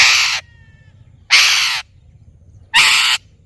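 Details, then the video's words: Parrot giving three harsh, broadband squawks, each under half a second, spaced about a second apart over quiet background. "Parrot Natural Sounds / Voices"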